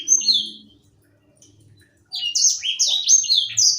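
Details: A young seed-eating Edel sanger, a bird kept to tutor other songbirds, sings a brief whistle, then, after a pause with faint low rumbling, a fast continuous stream of high, sweet, down-slurred notes.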